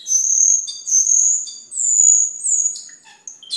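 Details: Very high, thin cucak keling whistles, used for training caged birds and as a lure: long drawn-out piercing notes, some slightly wavering, ending with a few short chips.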